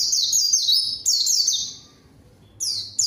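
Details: Rapid series of high downslurred whistles from a white-eye, used as a lure to draw a rival and get silent birds singing, a brief pause, then fresh notes begin.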